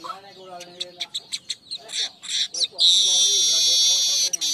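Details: Lure and master song of a weaver for training birds: a quick series of sharp, evenly spaced chattering clicks gives way to a long, continuous, high-pitched sizzling buzz lasting nearly two seconds.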